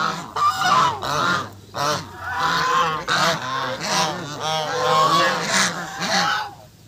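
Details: Angry goose honking: a continuous run of harsh, nasal, rising-and-falling honks repeated roughly every half second, loud and raucous, with some overlapping calls and a steady low hum in the background.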